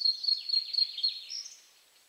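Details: Bluethroat song from a bird in bushes in Poland, a brief rapid chatter of high, buzzing, descending notes that fades out after a short rising whistle.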